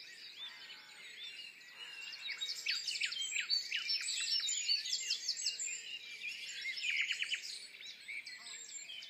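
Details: Common nightingale singing in the dawn chorus at Woods Mill, bird hidden from view: bursts of rapid, high, sharp notes and trills that grow louder midway, set among many other songbirds in a dense, continuous chorus.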